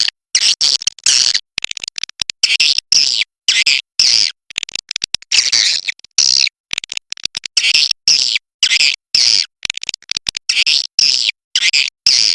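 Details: Rapid, choppy series of thin high chirps and clicks from a Kapuas River edible-nest swiftlet, bursts repeating roughly every half second over twelve seconds.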